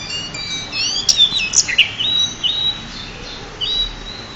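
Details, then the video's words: Pied bushchat champion singer tutoring other birds: twittering high whistles and sharp chirps in a fast opening flurry, easing into spaced, sustained whistled notes. "burung decu juara untuk master"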